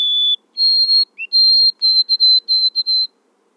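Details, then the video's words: Song of a White-throated sparrow: a steady whistled opening note, a slightly higher one, a short low blip, then a long high whistle breaking into a string of rapidly repeated clear notes on the same pitch. "O canto do Tico tico de garganta branca ( Zonotrichia albicollis )"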